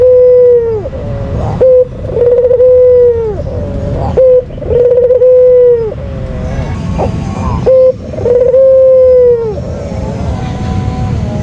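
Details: Captive white Barbary dove giving its lure call, five low cooing phrases in a row, each a short clipped note followed by a long steady hum that bends downward at the close.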